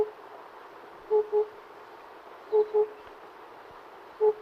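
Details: Oriental cuckoo giving low, hollow hoots in close pairs, three pairs spaced about one and a half seconds apart, over a faint steady background hum.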